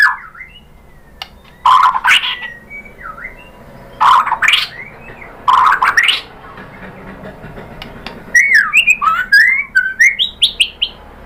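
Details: White-rumped shama song meant to provoke a caged shama into answering: rich harsh phrases in three bursts, then a fast tumbling series of varied whistled notes.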